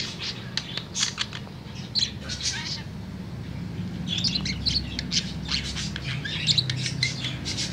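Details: Tame budgerigar in afternoon song, irregular groups of high chirps and twitters separated by short gaps, with a low rumbling background.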